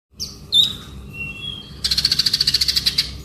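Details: Male konin bird singing in the ngobra style: thin high whistles, then a fast, even rattling trill of about fifteen sharp notes near the top of the range.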